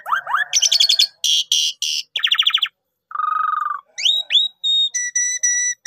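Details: Javan pied starling singing for a pancingan lure, full gacor: rising slurs, pulsed buzzy bursts, a low nasal rattle, upswept whistles and evenly spaced pure tones.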